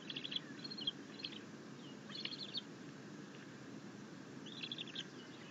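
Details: Bald eagle eaglet chittering with contentment as its mother brings in a fish: three separated bursts of rapid, high, squeaky notes with quiet gaps between, over a steady low rumble.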